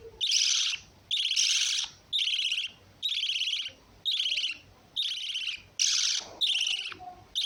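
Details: Lovebird calling in a regular series of about nine shrill, scratchy bursts, spaced nearly evenly every 0.8 seconds.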